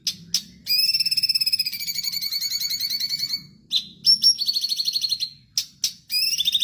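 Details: Bulbul song, a continuously singing bird used as a master recording for training songbirds: a long buzzy trill of high, steady notes lasting about three seconds, then short sharp chirps and shorter rattling trills.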